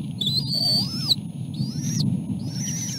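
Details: Osprey calling at a nest where an adult male and female feed three chicks a small fish: long drawn-out whistled notes, rising slightly then dropping at the end, three in quick succession, with continuous low rumble beneath.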